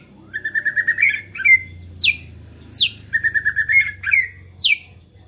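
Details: White-rumped shama in agitated, lively song said to provoke other shamas into singing; loud bursts of rapid buzzy trills near mid pitch alternate with sharp descending whistled sweeps, repeated in phrases, over a faint low hum.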